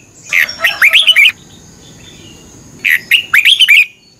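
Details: Two energetic whistled phrases from a red-whiskered bulbul's morning competition song, each a rapid tumble of rising and falling notes, separated by a pause of about one and a half seconds.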